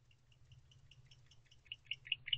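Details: Male barn owl in a nest box at 1:19 am, agitated as a predator arrives at the box: a series of short, high, rasping clicks speeding up and growing louder over two seconds, over a low steady hum.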